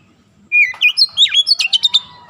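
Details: Short burst of oriental magpie-robin song for training young birds: a falling whistle followed by twisting slurred notes and a rapid series of sharp chips.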